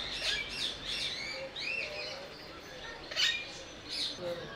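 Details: Eurasian stone-curlew at Belgrade zoo, Serbia, in October 2022: arched, whistled calls that rise and fall, repeated a few times. Other birds chirp throughout amid a busy aviary chorus.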